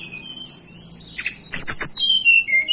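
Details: Local blue flycatcher from the mountains of Banten and West Java, Indonesia, singing: after a quiet start, sharp high notes lead into loud, clear, high whistled phrases that step down in pitch.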